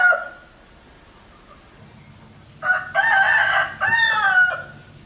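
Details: Bangkok chicken, a fighting rooster breed, making an odd, strange-sounding crow: quiet at first, then two loud, harsh, rasping bursts in quick succession over about two seconds.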